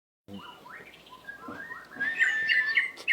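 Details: White-rumped shama in breeding condition singing: a varied run of short whistled and slurred notes rising in pitch, ending in louder clear whistles, over a noisy background.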